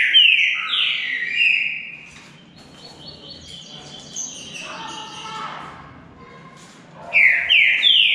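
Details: Green-winged saltator in a singing contest between two birds: loud, clear whistled phrases of sliding, downward-slurred notes open and close the stretch, with a quieter, busier passage of softer whistles between them.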